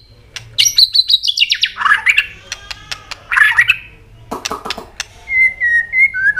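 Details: White-rumped shama in full song to rouse other birds: harsh, rapid squawking bursts with clicks, a cluster of sharp snaps, then smooth wavering whistled notes.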